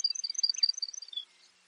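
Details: Baird's sparrow song: a rapid run of about a dozen high, clipped notes alternating slightly in pitch, ending on a lower note, then quiet.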